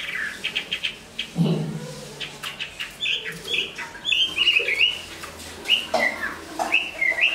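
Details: Chinese hwamei, large-bodied, a good singer and fighter, moulting into new plumage; scattered clear whistled notes and short slurred phrases amid rustling and wing-flutter noises, with a low thump near the start.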